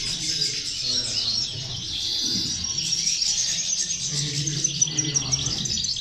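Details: Several female European goldfinches singing together, meant to encourage goldfinches to sing: rippling high twitters and trills run without pause above a faint low rumble.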